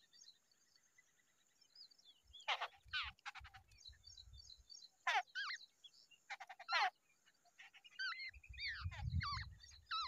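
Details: A pair of wild babblers sharing a nest utters scattered harsh rasping bursts and twisting nasal notes, with quieter chatter between them and brief low rumbles.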